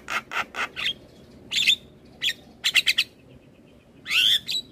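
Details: Asian pied starling master song used to coax starlings into singing: harsh broadband bursts alternating with clear whistled notes, a quick run of rasps, then a long squealing slur at the end.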